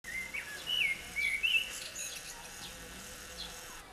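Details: Common blackbird singing in Baia Mare, Romania: a few short fluty, slurred whistled phrases in the first second and a half, followed by fainter high twittering, all over a steady background hiss.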